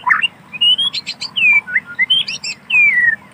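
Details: White-rumped shama singing in wild forest: clear whistled phrases, some rising and some sweeping down, mixed with short chirps, delivered in bursts with brief gaps and a faint low hum underneath.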